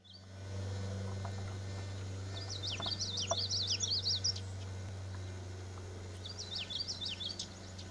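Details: Common yellowthroat singing: a rapid run of repeated high, looping three-note phrases, two bursts of song separated by a pause, over a steady low hum.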